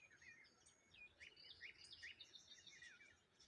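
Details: Morning birdsong near water by a lone tree: several birds overlap in a soft chorus of high, quick chirps and upward-flicking notes, over a steady low hiss of outdoor noise.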